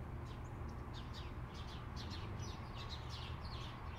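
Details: Two sharp-shinned hawks (Accipiter striatus) near a balcony at a road intersection give a rapid series of thin, high, sharp kek calls, about two or three each second, over a steady low rumble of car noise.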